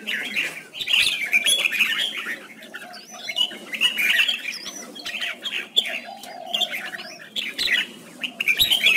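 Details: Red-whiskered bulbul performing a display song with spread wings, the kind of contest singing used to excite males and train birds; loud chattering warbled bursts come in several bouts separated by brief quieter gaps.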